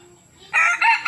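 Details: Young male red junglefowl in Nam Som, Udon Thani, Thailand, giving a short clipped crow in the cut-crow style: a loud harsh burst in three quick segments, the last rising to a sharp end, over a quiet background.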